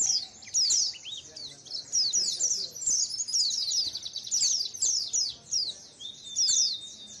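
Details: White-eye flock chatter as a trapping lure: rapid high twitters and slurred chirps overlapping almost continuously, with one long thin whistle near the end.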